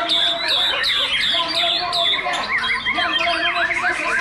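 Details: White-rumped shama in a singing competition duel: a clear whistled phrase repeated about every half second, then a run of looping rising-and-falling whistles, with other birds and voices behind.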